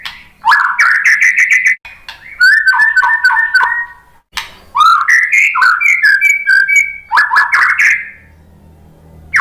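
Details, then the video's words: White-rumped shama singing to incite fighter males: rising whistled phrases mixed with quick rattling clicks and even runs of repeated piping notes, in three main bursts with short silences. "SUARA MURAI BATU bikin EMOSI FIGTHER jadi NYAUT GACOR"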